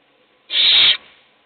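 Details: One loud, steady hiss of about half a second from an owl in a nest box as it feeds a chick while the rest of the brood sleeps.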